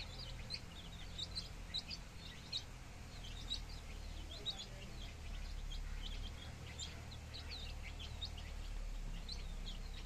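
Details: Village flock of 15-day-old baby chickens peeping steadily: many short, high, thin chirps overlapping in quick succession throughout, over a constant low background rumble.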